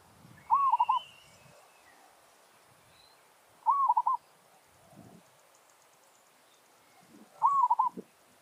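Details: Captive zebra dove used to lure wild doves, giving territorial challenge song: three phrases roughly three and a half seconds apart, each an arched coo followed by quick stuttering notes, with low rustles and thumps between.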